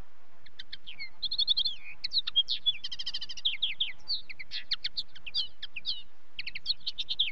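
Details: Linnet song as a continuous, fast, varied twitter mixing clipped chirps, trills, short buzzy runs and brief whistled slurs, delivered almost without pause for about seven seconds, quiet low rumble underneath.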